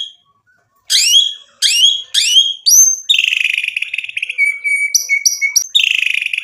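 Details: White-rumped shama, a male's provocative song to draw a rival's reply: three loud, sharp, downslurred whistles, then a rapid buzzing rattle broken by high clear whistled notes.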